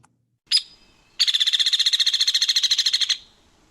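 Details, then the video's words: Hairy Woodpecker gives one sharp, high peek, then a rapid whinny of about twenty-five sharp notes held at one high pitch without descending, unlike the Downy's descending whinny. "Whereas the hairy woodpecker's whinny does not descend, it stays on one pitch."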